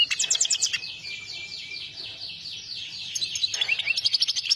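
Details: Goldfinch (saira) singing: quick rhythmic chirps, then a long buzzy wavering trill lasting about two seconds, followed by renewed rapid tinkling notes, roughly three per second.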